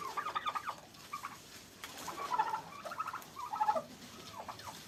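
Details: Farm turkeys in Pakistan during a fight between two birds: quick, chattering gobble bursts with a few clearer tonal notes, recurring every second or so over a steady low hiss.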